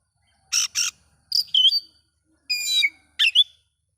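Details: Oriental magpie-robin song used to provoke other magpie-robins, two scratchy bursts, then whistled slurs, a rich drawn-out note and a final quick twittering phrase.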